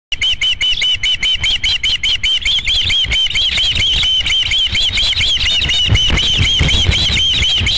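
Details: Osprey at a nest on Dunrovin Ranch, 11 July 2016, during the second fish delivery: a fast, steady string of high, sharp whistled chirps, about two or three per second, with low rumbling background noise.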